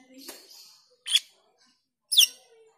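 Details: Black-winged myna giving ngriwik and teler lure calls for training pied trillers: a soft rough opening note followed by two loud harsh rasping screeches about one second apart.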